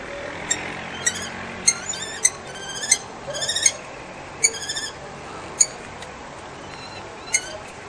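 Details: During a nest fight on a balcony in Brno-Bohunice, Czech Republic, a common kestrel male battles a rival male while his mate calls loudly in support. Sharp, ringing notes, some single and some in quick rapid runs, stand out over low background noise.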